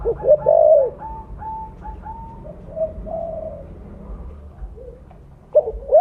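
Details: Spotted dove, mottled 'blorok' form with a big voice, used as a lure: a loud coo phrase opens, then a run of soft even whistled notes, and the coo phrase begins again at the end.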